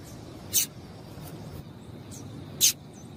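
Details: Female double-collared seedeater calling to stimulate males into singing: two short, sharp high chips about two seconds apart over a faint low background hiss.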